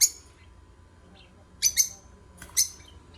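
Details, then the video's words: Short, shrill lovebird chirps, one at the start and then a quick double chirp and a single note, with quiet gaps and a faint hum beneath. "8 Minutes Love Birds Singing, Stimulate other birds"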